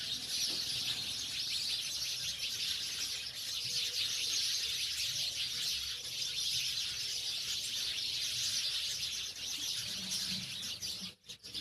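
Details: Many house sparrows chatter together in a steady, high-pitched wall of chirps, briefly cutting off near the end.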